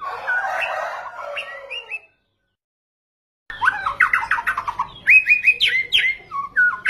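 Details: Full-phrased murai batu (white-rumped shama) lure song meant to stir other birds: a dense jumble of fast whistled notes, chatters and rising slurs, about three per second, with an abrupt silent gap midway.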